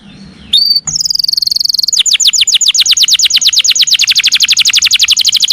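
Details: Canary song from a training recording for songbirds: after a short quiet start, a bright whistle and then a long, fast, high trill of evenly repeated notes that rapidly slur downward.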